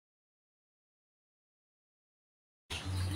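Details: Near-total silence for over two seconds, then a sudden short burst of broadband noise with a low steady hum at the end.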